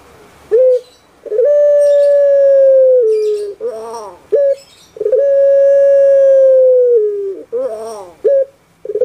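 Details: Song of a well-kept puter pelung dove from Java, Indonesia: sustained mellow hooting tones that sag downward, broken by a rasping gurgle and a short sharp note, repeating roughly every four seconds with faint background noise.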